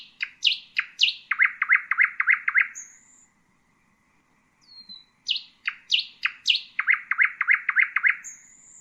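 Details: Common nightingale (Luscinia megarhynchos) singing: a phrase of high rising notes runs into a fast series of repeated loud chooks, then a thin high whistle. After a pause the same structure returns, ending again in a high whistle.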